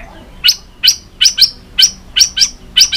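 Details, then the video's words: Sharp clicking notes from an agitated white-rumped shama, tail flicking while fired up for competition singing. Short dry tacks come about every third of a second, some in quick pairs. "chòe lửa tạch đập đuôi kích lửa hót đấu căng lửa.luyện chòe lửa hót nhiều giọng rừng dài"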